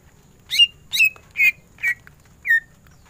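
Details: Greater green leafbird (cucak ijo) singing actively in the ngentrok tembakan style: five loud, separated notes, each a sharp downward sweep ending in a clear whistle, roughly every half second, over a faint low hum.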